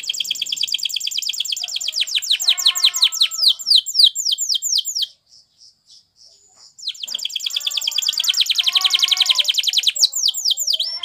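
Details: Training song of a Spanish Timbrado canary: long run of quick descending high notes repeated several per second, a short break with soft pulses, then a dense, loud trill of rapid sweeping notes.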